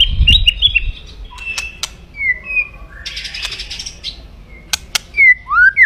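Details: Aggressive crackling 'kretekan' of a white-rumped shama, used to fire up rivals. Sparse: a quick chatter at the start, a few sliding whistles, a harsh rasping burst midway and rising whistles at the end.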